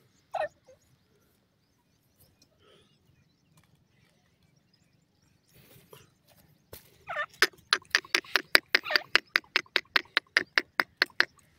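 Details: Grey francolin, known locally as Sindhi grey teetar: one sharp note, a long quiet pause with faint rustling, then from about seven seconds a fast, harsh series of clipped notes repeated roughly two to three times per second.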